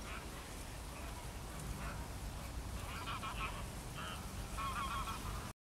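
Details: Greylag geese recorded on 28 April, giving short nasal honks with stacked harmonics, scattered single calls at first and then a denser burst of honking near the end, over steady low background rumble.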